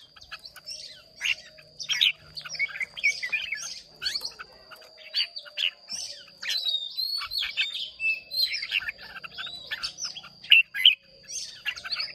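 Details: Red-whiskered bulbuls of Hoà Bình stock, caged in Vietnam, sing against each other in a contest: dense, continuous chattering and whistled phrases, rapid chirps overlapping from more than one bird, a thin constant high tone behind.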